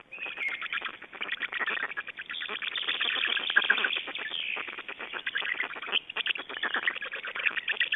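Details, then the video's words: Black storks at an Estonian nest on 29 May 2012, during nest changeover and feeding. A dense, raspy stream of rapid pulsed calls, somewhat quacking, swells and fades across eight seconds. The sound is muffled, with no higher tones. "Estonian Black Storks - Change and feeeding"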